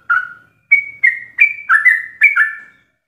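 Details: Sooty-headed bulbul singing in the rapid, filled 'ropel' style, kept as a master recording for training captive birds: six short bubbly whistled phrases, each a quick slurred rise and fall, separated by brief pauses.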